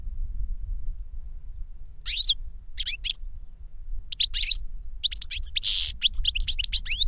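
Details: European goldfinch, a caged tutor bird that taught a young goldfinch its song from a CD, sings short bursts of high twittering notes with a louder buzzy phrase near the end, over low background hum.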